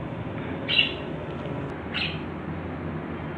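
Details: A budgerigar running about gives two short, bright chirps about a second apart over a steady background hiss.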